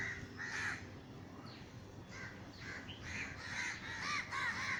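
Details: Crows flying over a Sri Lankan garden after being scared by a neighbour's gunshot call in raspy, hoarse caws, with a single call at first and then a denser run of overlapping caws near the end.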